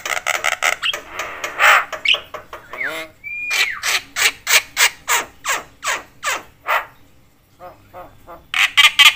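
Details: Javan myna, noisy and talkative, said to provoke other mynas into calling: grating squawks in quick series, a whistled slurred note, then rhythmic harsh notes about two per second.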